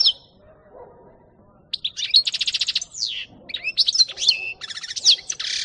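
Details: Singing European goldfinch, 2018: a varied, liquid twittering song broken by a rapid buzzy trill of evenly pulsed notes, then further quick slurred chirps and a second rattling passage, in an otherwise quiet setting.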